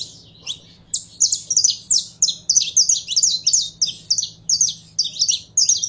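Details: Caged saffron finch warming up into song. A lively, steady stream of high, clipped chirps is delivered about three per second, with a quiet low hum in the background.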